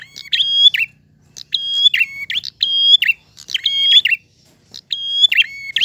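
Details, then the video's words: Clear prinia song in the drawn-out ngalun manner, delivered in bursts. Steady high whistles alternate with short twangy, buzzing notes, separated by brief pauses. A soft low drone is heard in the background. "Prenjak Gacor Ngalun. Suara jernih."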